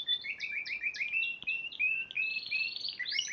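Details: Spanish Timbrado canary, Piala Raja champion in March 2014, singing a run of quick descending chirped notes. These lead into fast buzzy rolls and a loud rising flourish at the close.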